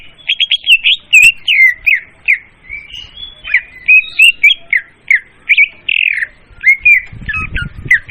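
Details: Loud, clear leafbird lure song: a fast, continuous stream of sharp, high chirps and twisting whistled notes with no long pauses. Faint low rumbling is heard near the end.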